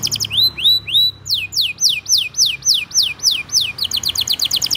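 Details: Canary singing a long, lively tutor song meant to train young canaries and prompt silent ones: three rising whistled slurs, then a fast run of falling high sweeps, ending in a rapid trilled tour of short repeated notes.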